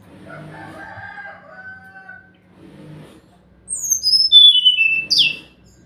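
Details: Brown-chested jungle flycatcher song used as a lure so silent birds answer: muffled low warbling first, then a cascade of high whistles stepping steadily downward, ending in a sharp upward note.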